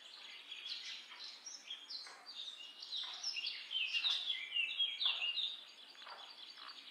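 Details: Common myna producing a dense jumble of squeaky, gurgling and whistled notes with occasional harsh downstrokes. It peaks midway and then softens, with steady outdoor noise underneath.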